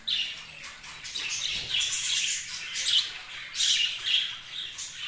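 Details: Several kept budgerigars keep up continuous high, twittering chatter, mixed with brighter squeaks and short harsh notes.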